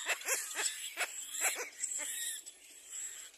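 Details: Little black cormorants at the nest with their young, both adults arriving together: a run of short, nasal, arched calls repeated quickly for about two seconds, then quieter, over a steady high-pitched hiss of insects.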